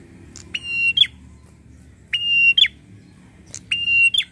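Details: Agitated prinia producing three harsh buzzy calls, each a steady rasp of about half a second closing with a scratchy upward flick, roughly every one and a half seconds.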